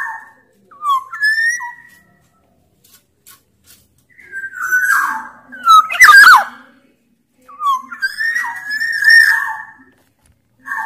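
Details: Black-naped oriole from Sumbawa, larger than orioles of other regions, singing as a lure for lazy birds. Clear whistled phrases with quiet pauses between, and a loud harsh screech near the sixth second.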